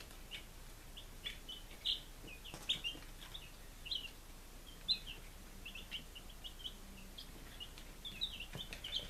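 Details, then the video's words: Five-day-old chicks in Lunenburg, Massachusetts, recorded in July 2017, making short bright high peeps at irregular intervals, a few louder ones standing out over faint hiss. "Baby Chickens - Day 05"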